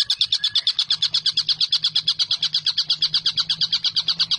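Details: Collared kingfisher, known locally as tengkek buto, used to train songbirds: strongly regular, clipped notes repeated almost three times per second throughout, with a faint low hum beneath.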